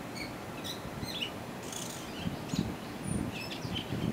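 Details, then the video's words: Gray Catbird singing on the Clemson University campus, South Carolina: a rambling string of short, varied squeaky and whistled notes, high-pitched and unhurried, over a steady low background rumble. "Gray Catbird singing"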